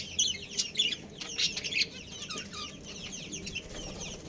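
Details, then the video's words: Budgerigar breeding pair gives rapid, scratchy chirps and twitters, loud and busy in the first two seconds, then softer and sparser over a low hum. "Adorable Budgies Chirping Sounds"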